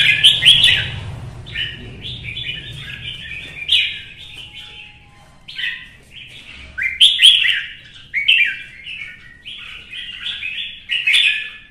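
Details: Red-whiskered bulbul provoked into competitive singing: bright, warbled phrases of slurred whistles in bursts, with short sharp chirps between them and a low rumble at the start.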